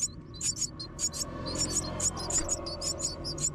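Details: While being fed by a parent, myna nestlings make sharp, high-pitched chirps repeated in fast, uneven bursts of twos and threes, with a constant low rumble underneath.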